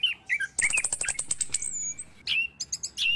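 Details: Orange-headed thrush heard in the morning, a recording meant to prompt caged birds into song: whistled slurs, a fast high rattling trill that fades, then more short sweet phrases.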